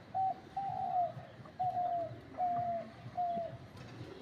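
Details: Decoy dove kept for luring wild doves sings in a tree: five or six clean, level hooting notes repeated under a second apart, with a soft lower note among them and light background hum.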